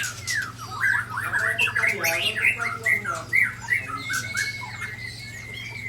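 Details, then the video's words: White-rumped shamas clashing in Aceh, Indonesia, as Ujong Pancu and Tangse birds attack one from Sabang. Dense overlapping whistles and harsh squawks churn together, followed by a long thin level whistle over steady hum. "Murai Balak Sabang di serang Murai Ujong Pancu dan Murai Tangse"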